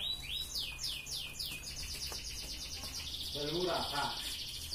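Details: Red canary in full ngerek song, used as a master recording to stir breeding drive in female canaries: a run of quick upward-swept whistles about four a second, rolling into a long, dense, high trill, with a brief lower chattering burst near the end.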